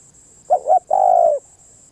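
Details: One spotted dove phrase: a short double note followed by a sustained, mellow coo about half a second long, gently falling at its close. A steady high-pitched whine runs underneath.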